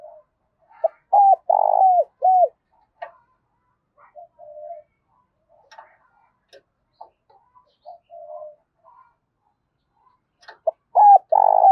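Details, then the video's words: Spotted dove calling in the morning to lure others; one loud cooing phrase at the start, faint ticking clicks and soft coos through the middle, and another phrase beginning at the end. "Tiếng cu gáy gọi bổi buổi sáng kích bổi hiệu quả"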